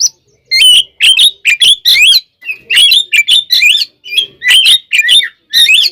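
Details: Fighting song from an oriental magpie-robin, used to provoke other birds into anger; quick sequences of sharp, buzzy chips and rising whistled slurs, delivered in steady bursts with brief gaps.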